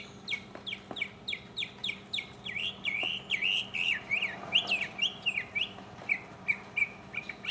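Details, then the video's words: A 2015 mockingbird solo of rapid downslurred chirps, about three a second, in steady series that gradually shift in shape and pitch, with a low background hum. "mockingbird Solo"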